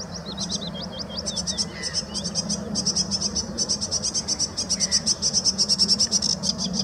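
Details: Sedge warbler at De Hoge Dijk in Amsterdam, Netherlands, 11 April 2017, opening with sliding whistled notes, then rapid scratchy churring trills that speed up and grow louder, with a low hum beneath.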